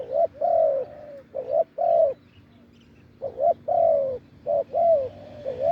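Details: Deep-voiced wild spotted dove calling at a decoy branch. Mellow, hollow coos come in clusters of two or three rounded notes, each slurring up and down. A longer gap falls mid-sequence, with a low constant hum behind.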